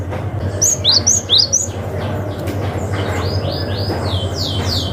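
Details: Cinereous tit in the wild calling to rivals, a lure for young forest birds: a brief rapid series of sharp, high, falling chirps at the start, then softer sweeping notes over a steady low hum.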